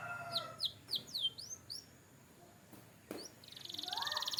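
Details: Canary singing for training: a run of five or six clear, downward-curving whistled notes, a pause with a click, then a rising high rolling trill that grows louder.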